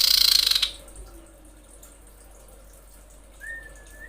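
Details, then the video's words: Breeding female common iora screeching to call males: one loud harsh pulsed burst at the start, then quiet, ending with a faint level whistle. "suara pikat sirtu/cipoh birahi menjerit memanggil jantan"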